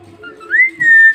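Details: Talking parrot kept as a pet, mimicking words in a pure whistle-like voice: a low note sweeping up into a held tone, then a second loud steady syllable.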